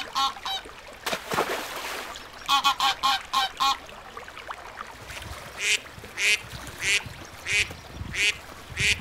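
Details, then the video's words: Ducks on a lagoon: harsh quacks at first, a splash, then a rapid cluster of quacks, followed by a series of thinner, higher calls spaced about half a second apart. "Som de Pato - Patinhos na Lagoa - Duck Sound"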